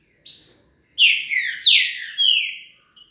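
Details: Green-winged saltator of the velocista song style giving one brief introductory whistle followed by a phrase of four strong, falling, slurred notes, the last drawn out and fading.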